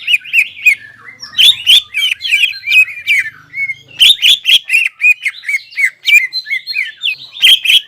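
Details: Greater green leafbird, crest raised, singing a lively series of short whistled and buzzy phrases in quick bursts, with sharp clicks and chatters mixed into a continuous, energetic warble.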